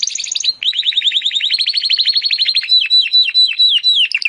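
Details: Timbrado canary in a song-training recording: a brief buzzy opening, then a long run of rapid repeated downslurred notes that slows into spaced, sweeping chirps toward the end.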